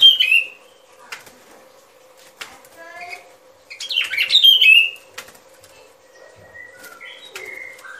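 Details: Sooty-headed bulbul lure recording for trapping: a short whistled note at the start, then a busy jumble of slurred whistles midway, with scattered clicks and a steady low background hum between phrases.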